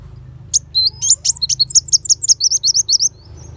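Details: Black sunbird song, used as master song for training white-rumped shamas for contests: rapid, shrill, high-pitched chirps in a fast series of sharp downslurred notes, with a low background hum.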